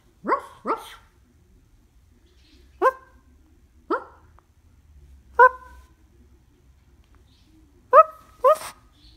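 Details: A pet cockatoo imitates a dog with high-pitched, short, gruff, rasping barks, often in pairs.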